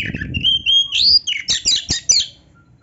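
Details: Oriental magpie-robin (kacer) in full 'gacor' song with filler phrases: sweet rising whistles at first, then a rapid chattering run of sharp clicks and chirps, fading into quiet.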